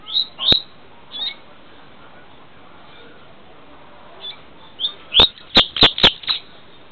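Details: Double-collared seedeater in Niterói, Rio de Janeiro, with a song type called 'filé', gives high, sharp chipping notes: a few scattered early, then a quick run of five or six near the end, mixed with loud clicks; poor camera audio.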